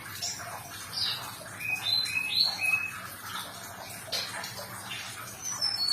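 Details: Therapy recording of Sumatran leafbird song meant to restart a stressed, silent bird: a few flat and rising whistled notes around mid-high pitch, then sparse high chirps, with hissy background throughout.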